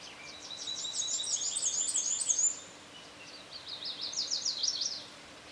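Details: American robin chicks being fed in a nest built in a satellite dish beside a screened porch; two bursts of thin, high, rapid chattering squeaks, the first lasting about two seconds, then a short pause and a second wavering burst.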